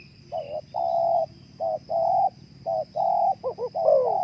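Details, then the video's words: Spotted dove giving soft, mellow coos, some short and some drawn out, in an uneven series over a steady background hum and a thin high tone. "terapi suara naikan birahi burung terkukur"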